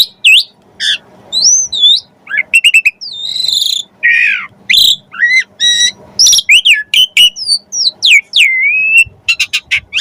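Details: Energetic Asian pied starling song packed with varied phrases, meant to coax other starlings into singing: high whistles, short chirps, bent slurs and rapid stuttered notes follow one another without pause, with a faint low hum beneath.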